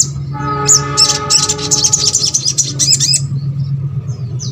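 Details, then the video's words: Crescent-chested babbler song, used to stir silent birds of the same kind into song: fast, high chattering twitters packed into a few seconds over a steady low hum. "MASTERAN SOGON ( sogok ontong ) BAHAN AGAR RAJIN BUNYI"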